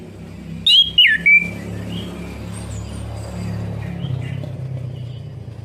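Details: Orange-headed thrush song, used to stimulate a bird that has stopped singing: a short burst of three loud, sweeping whistled notes, then only faint distant chirps over a steady low hum.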